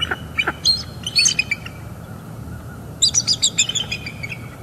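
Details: A mated bald eagle pair at a northeast Florida nest, winter morning mating session during incubation: two separate bursts of high, staccato chittering, each several fast squeaky notes, with a quiet pause between and low background hum.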